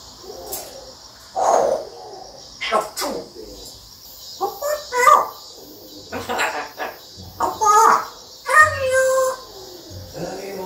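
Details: Pet African grey parrot repeating words and mimicking sounds: bursts of harsh, bark-like syllables and voiced chatter with a few clear whistled tones, coming in uneven clusters every second or two inside a room.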